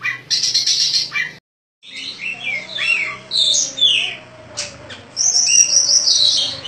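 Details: Caged contest Oriental magpie-robin, a champion of many bird competitions, in its daily routine: loud, crystal-clear varied whistled phrases and sharp chirps, a brief silence near the start, over a faint steady low hum.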